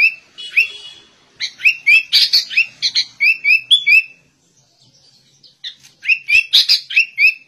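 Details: Sooty-headed bulbul song likened to a white-rumped shama's: rapid runs of sharp, high chirped and whistled notes in dense bursts, a pause of about a second and a half near the middle, then a fresh chattering run to the end.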